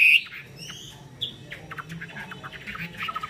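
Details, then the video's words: Chinese hwamei singing in the spread-wing display style, wings opened like an eagle's; a loud high whistled note opens, then quieter varied chirps, short whistles and squawky notes follow in quick irregular bursts over faint background hum. "chim họa mi hót xòe, chơi cánh đại bàng"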